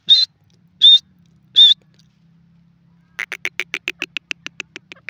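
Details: Grey francolin, known locally as gora teetar. Three loud, high whistled notes come first, then a quick run of evenly spaced, sharp clicking notes that speeds along for about two seconds.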